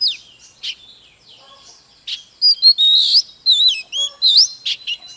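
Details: Oriental magpie-robin singing and dancing: sparse opening notes, then from the middle a rush of loud, clear whistles. Some slide up, some dip and rise, with sharp high chips mixed in.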